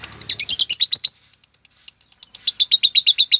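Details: Female lovebird showing signs of the prized konslet singing style, its song pattern starting to change: fast bursts of high, sharp repeated chirps in two rapid runs separated by a brief pause with faint clicks.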